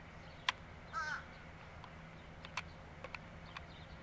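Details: A fish crow (Corvus ossifragus) gives one brief, nasal, slightly wavering caw, with scattered sharp clicks and a low steady hum in the background.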